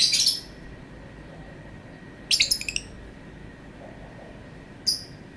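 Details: Lovebird letting out bursts of sharp, high, squeaky chatter: a harsh opening burst, then a quick stuttering run of chirps, then a single short chip after a pause, against quiet background hiss.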